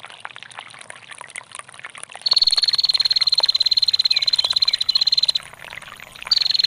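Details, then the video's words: Trickling water at first, then a female bar-winged prinia launches into a long ngetir trill: a fast, even run of sharp high ticks lasting about three seconds, followed by a shorter burst near the end. "SUARA PRENJAK BETINA GACOR NGETIR PANJANG DAN GEMRICIK AIR"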